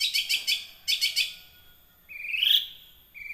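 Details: Young wild long-tailed shrike singing, used as a lure to make caged birds sing; bursts of scratchy, buzzy high notes followed by a rising whistled phrase and a sharp chattering note.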